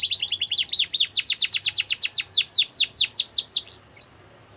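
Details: Russian canary singing a training song, a rapid run of high, downward-sweeping chirped notes, about three per second, slowing slightly before ending with a brief whistle.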